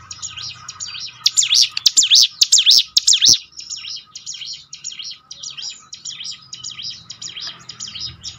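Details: Bar-winged Prinia (ciblek gunung) lure song for making birds sing more often: a loud run of sharp, high swooping notes for about two seconds, followed by a softer, more distant continuation of similar chirps.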